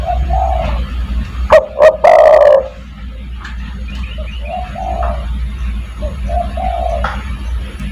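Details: Spotted dove calling to bring in other doves: soft coos, a loud phrase of two hoots and a long coo, then a run of quieter mellow coos and faint chirps.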